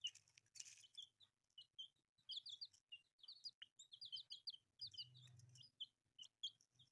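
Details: Newborn chicks, brightly coloured, peep in rapid overlapping runs of thin descending notes, with soft low rumbling and a short louder hum near five seconds.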